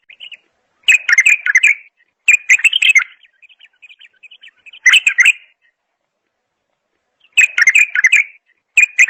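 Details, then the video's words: Bulbul singing in repeated bright bursts of fast, jumbled chirps about a second long, with a trail of soft twittering after the second phrase and long silences between others. "اجمل صوت بلبل"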